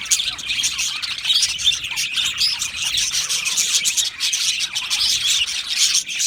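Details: Budgerigars chattering together in an aviary, a dense, continuous wash of high warbling, chirps and squeaky notes from many birds at once, with no pauses across the whole stretch.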